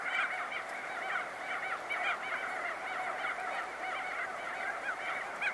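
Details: Crested Auklets at close range, many birds emerging from their burrows, give a dense, continuous colony chorus of overlapping nasal, honking calls, many slightly rising or wavering, with their wingbeats also heard.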